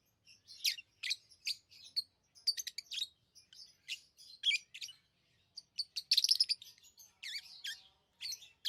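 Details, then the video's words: Busy chatter of pet lovebirds, with many quick, high, scratchy chirps and rapid clicking trills, growing loudest in a dense burst toward the end. "Love birds Sounds | lovebirds chirping sounds"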